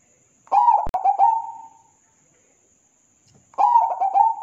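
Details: Zebra dove song used as a training recording for cage birds: a bubbling coo phrase of quick stuttering notes drawn into a longer tone, a pause, then the phrase starting again. There is a sharp click and a faint steady high whine.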